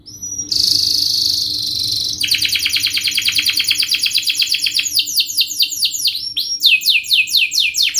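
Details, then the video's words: Canary song opening with a sustained bright high trill, then a long run of quick repeated chirps and rolling sweeps that slow into distinct swooping notes. "Kenari gacor Speed RAPAT TAJAM ini ahlinya untuk pancingan kenari Paud belajar bunyi Cepat NgeroL"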